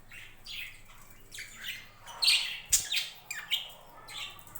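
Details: Several budgerigars in a home budgie farm chirp and squawk, scattered high buzzy notes building to louder sharp calls with a brief knock midway.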